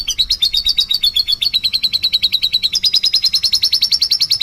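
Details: Atlantic canary 'pancingan' lure song: quick pulsing trill notes, a brief lower run, then a higher, brighter sustained trill to the end.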